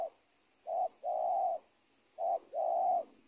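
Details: Spotted dove near a former cornfield at the edge of a teak plantation in Indonesia, during trapping. Two pairs, each a short coo followed by a long, steady coo, about 1.5 seconds apart.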